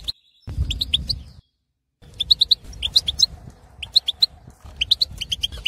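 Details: Breeding-condition male European goldfinch, wild Algerian bird in an aviary, singing to stimulate others: clipped sharp chirps in quick runs after a short gap, with a faint low hum underneath.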